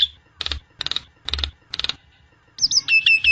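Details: Song of a Nias hill myna for use as master or lure audio: four harsh, chattering bursts at steady intervals, then a fast series of bright, falling whistles.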